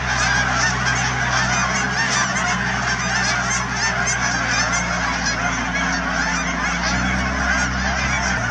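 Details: Canada geese in the thousands at the Cheam Wetlands near Chilliwack, British Columbia, fill the air with nonstop layered honking, accompanied by a low droning engine-like hum.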